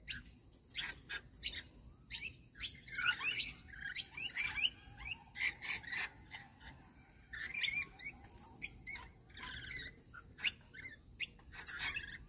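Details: A group of rainbow lorikeets at their daily feeding keeps up busy chatter. Dense strings of shrill, rasping chirps and screeches overlap almost continuously, with a steady high hiss behind them.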